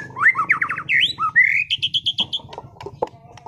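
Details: Caged competition-class white-rumped shama from Sragen in full song, showing off its repertoire: rising slurred whistles, a quick run of falling notes, then a long buzzy rising note and a dry rapid trill over a low steady hum.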